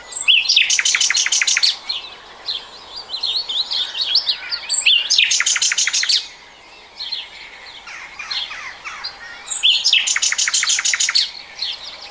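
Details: Common nightingale, 2020, delivering three loud phrases of rapid repeated high clicking notes, each led by twittering and followed by softer varied warbles and brief gaps.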